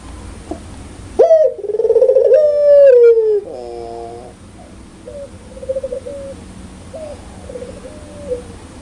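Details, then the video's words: Barbary dove (puter pelung) with a loud, clear voice doing the laughing ngakak call: an abrupt rising note into a long trembling coo, a rattled burst of notes, then several softer level coos. "suara burung puter super gacor ngakak"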